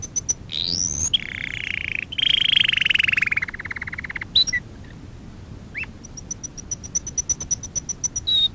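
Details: Singing canary recorded for song training, with sweeping rising whistles, a long descending pulsed trill, scattered short notes and a high rapid ticking series near the end.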